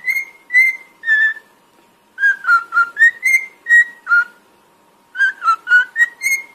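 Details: A cockatiel sings a whistled melody for training: three falling notes, a pause, then a run of eight short tones rising and falling, another pause, and five notes ending higher.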